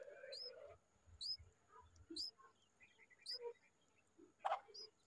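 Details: Bulbul bringing insects to its chicks during hot weather; four or five thin, high, upslurred then falling notes about one second apart, scattered softer chips, low thumps and a short broadband knock near the end.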